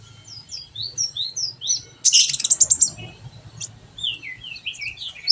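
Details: Training recording of brown-throated sunbird song meant to get a kept bird singing: quick series of thin high slurred chirps, a dense rapid buzzy trill in the middle, then more high descending chirps, with a soft low background hum.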